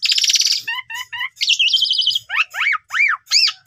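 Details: Asian pied starling singing, used as a lure to push silent young birds into full song with mimicked phrases: a harsh rattling buzz, short rising whistles, a fast buzzy trill, then loud arched whistles repeated three times.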